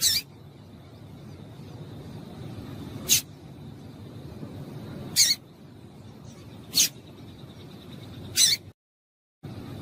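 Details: Female double-collared seedeater giving sharp high chip calls meant to get males singing, single notes repeated every one to three seconds over a steady background hiss, with a brief gap of silence near the end.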